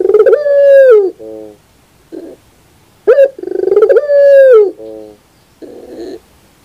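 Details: Morning cooing from a puter pelung dove: a long, steady, slightly falling coo with a lower trailing note, given twice with short muffled bursts between phrases.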